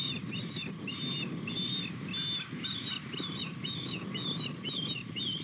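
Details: Osprey pair as the male brings a fish to the female, morning of 21 February 2020; shrill, slightly downslurred whistled chirps repeated roughly twice per second, over a constant low rumble.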